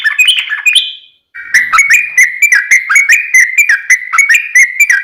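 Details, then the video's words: Yellow-vented bulbul singing a loud, long rapid run to make other bulbuls answer; a high twittering phrase, a short gap, then a steady chain of quick warbled whistles. "trucukan gacor tarung ROPEL PANJANG pancingan trucukan agar bunyi"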